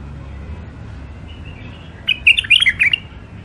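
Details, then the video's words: Wild-caught caged songbird from Mandali, kept for sale, singing: a short burst of rapid high, sharp chirps and warbled notes in the second half after a quiet start, over low background hum. "تغريد مخاليف وحشيه"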